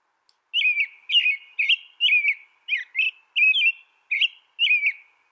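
An American robin sings a quick string of clear, slurred whistled phrases, each rising and falling, roughly two per second, with no other sounds.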